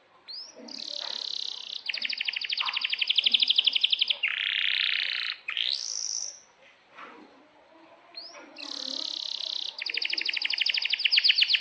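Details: Energetic canary song for tutoring young or silent canaries: fast pulsed trills, a dense buzzy passage, a rising sweep, a quiet gap with soft notes, then more rapid trills.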